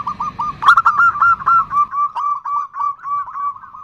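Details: A female zebra dove gives the nutut call to the male: clear, evenly repeated cooing notes, about four per second, with a faint low rumble fading out early.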